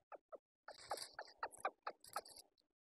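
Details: Red junglefowl decoy call used to lure wild junglefowl on a bamboo-forest mountaintop in the morning, described both as a male decoy and as a hen: two short clucks, then a rapid burst of harsh mid-pitched notes over about two seconds, with faint scratchy rustling.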